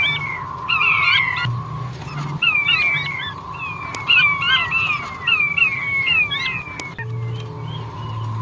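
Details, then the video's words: Male king quail calling: repeated thin whistled notes sliding downward, clustered in quick series over a steady buzzy background hum and low rumble. "Suara unik burung puyuh batu jantan"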